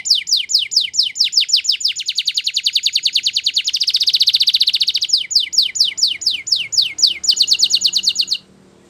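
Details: Belgian canary song used for training young canaries, made of long rapid rolls of descending whistled notes that swell into a loud rattling trill mid-phrase, then resume as quick downslurred notes before stopping abruptly.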